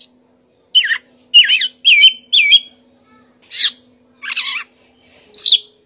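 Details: Oriental magpie-robin (kacer) giving clear whistled song phrases, including looping slurred notes and a buzzy warbled burst, about two phrases per second with brief gaps, in quiet surroundings.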